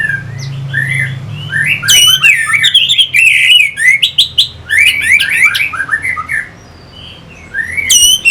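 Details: Orange-headed thrush (anis merah) song, played as a lure to stir other birds into fighting. Loud bursts of rapid, varied twittering and sharp whistled phrases, in three outbursts separated by brief pauses, over a low steady hum.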